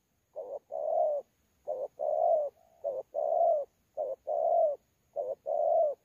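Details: Spotted dove, wild-caught, 'thổ pha' cooing style, competing at Sa Thầy on 26 November 2019. Evenly spaced low cooing phrases pair a quick double note with a longer warm coo, with a faint murmur between phrases.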